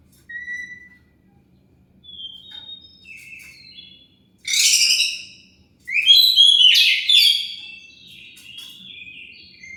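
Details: Lure song of an Oriental magpie-robin, meant to provoke other birds into answering. Soft whistled notes build to loud, harsh, sweeping bursts and then a long run of varied chattering whistles.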